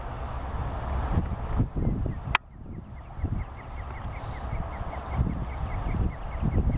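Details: Black-winged Stilt at Landje van Geijsel on 12 May 2020 gives a fast run of short, sharp yelping notes, about five a second, over heavy low wind rumble with one loud knock.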